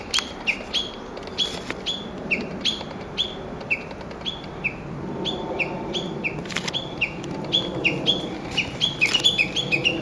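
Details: Japanese bush warbler in park woods on 06/12 repeating short whistled notes that fall in pitch, spaced about half a second apart, with occasional clicks and rustling alongside.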